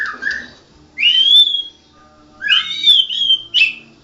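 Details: Champion white-rumped shama singing gacor: two low warbled notes, then long rising, sweet whistles held and bent upward, followed by another pair of bright slurred whistles with pauses between.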